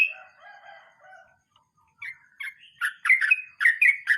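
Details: Sooty-headed bulbul singing in the rolling 'mbonang' style: soft, faint warbled phrases at first, then after a short pause a run of loud, bubbly, clipped notes quickly repeated.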